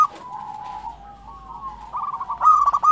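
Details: Local zebra dove song building up: quiet drawn-out notes over a faint steady hum give way to quickening pulsed coos that end in a loud, sharply broken cooing burst.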